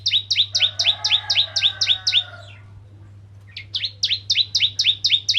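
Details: Bar-winged prinia of the crystal kind, sung to provoke rivals into singing: fast trains of clipped, downslurred chips, about four per second, broken by a short gap, with a faint lower warble and steady background hum.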